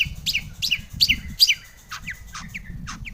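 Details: Long-tailed shrike singing a varied lure song meant to set other shrikes off; quick downward-slurred high notes, paired and repeated about two or three per second, fading toward the end.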